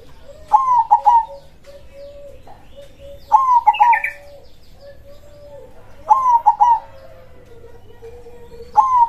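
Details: Local zebra dove in full krosing song, loud and active. Trilled, bubbling coo phrases come about every three seconds over a steady low droning tone, with a brief higher chirp heard once.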